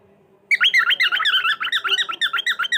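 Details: Cockatiel calling indoors in a small room: a rapid run of short, harsh chirps, about six per second, bright and squawky, continuing without pause for over two seconds after a quiet start.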